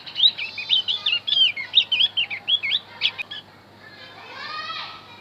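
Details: Javan grey-throated white-eye song for luring wild birds: a rapid, high, warbling series of curled whistles for about three seconds, then a softer rising buzzy sweep.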